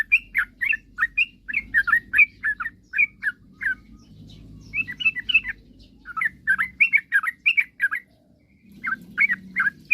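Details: Sooty-headed bulbul in lively song, aimed at provoking rivals to sing fast: bursts of bubbly, rolling notes in quick runs separated by brief silences, over a soft low hum.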